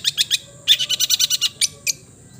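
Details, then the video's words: Long-tailed shrike, known locally as cendet, singing: three harsh notes, then a fast rattling series of about nine raspy high notes, followed by two separate sharp calls, with faint low background hum. "the melodious sound of the cendet bird can make you feel at home"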